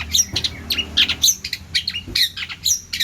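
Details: Long-tailed shrike in full, lively song with plentiful varied phrases for bird tutoring: harsh squawks mixed with thin high squeaks and brief twittering bursts, uneven in spacing.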